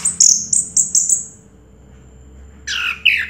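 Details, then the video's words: Orange-headed thrush, a first-place winner of a 2022 singing contest, gives a run of six high sharp whistled notes, then after a pause two lower slurred phrases dropping in pitch. "Suara Burung Anis Merah Juara Pertama Tahun 2022"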